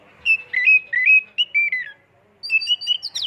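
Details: Oriental magpie-robin (kacer) singing a lure song with full imitations and rapid 'tembakan' bursts: clear whistled, warbling notes that slide up and down, a run of phrases, a short pause, then a higher rising burst.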